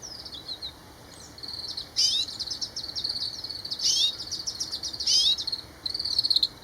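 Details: Grey-capped greenfinch giving high twittering calls with short buzzy trills and chirps in bursts, over a faint continuous background hiss.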